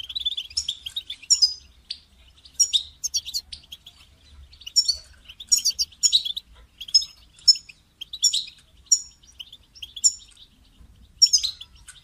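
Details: Goldfinch calling, used to motivate a caged bird to sing: rapid twittering phrases repeated roughly every second, mixing sharp chirps and thin rising whistles, in a clean recording with short silent gaps.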